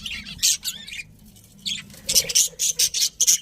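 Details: Pet budgies chirping: bursts of high, scratchy chatter and short squawks, a clustered run of quick notes in the second half.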